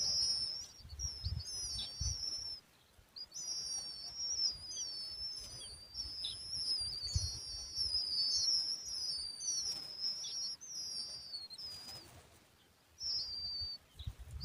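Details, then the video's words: Several young lark chicks, described as looking very thirsty and hungry, keep up thin, very high whistled begging calls, many overlapping and wavering, with soft low thumps of handling beneath. "Lark young chicks looks very thirsty and hungry | lark bird sound"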